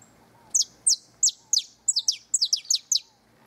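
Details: Near the nest, a canary delivers bright, high, down-swept chirps at a steady pace of about three per second, some doubled, against a quiet low background hum.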